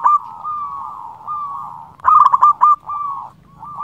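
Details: Local Indonesian zebra dove, a persistent singer, calling rivals; recording used as a lure for trapping doves. One burst of rapid stuttered cooing notes runs into a level coo, over a steady low-pitched hum of continuous cooing.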